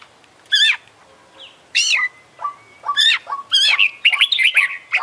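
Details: Oriental magpie-robin, an international champion competition bird singing energetically with a full filler (isian) repertoire: loud, sharp zigzag phrases spaced about a second apart, mixed with thin whistled notes and brief harsh squawks.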